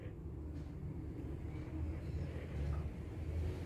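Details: A steady low rumble like engine or traffic noise fills the recording, with faint murmuring and no clear animal calls.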